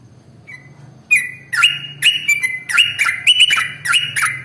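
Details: Sooty-headed bulbul (trucukan), a long 'ropel' song used as a lure to get other birds singing: after a second of quiet, rapid whistled notes near two kilohertz with sharp clicky onsets, in a fast irregular chatter with a low hum beneath.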